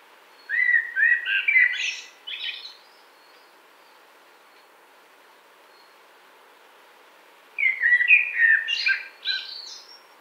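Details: Song of a common blackbird: two warbled phrases about seven seconds apart, each opening with deep fluty notes and ending in squeaky, high-pitched twittering, with quiet pauses between them.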